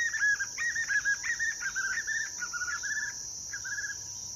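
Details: White-eared puffbird singing at Cavas de Areia, Univap, São José dos Campos, São Paulo, Brazil, on 23 June 2023: a rapid run of short, wavering whistled notes, slightly falling and fading toward the end, over a steady high insect hiss.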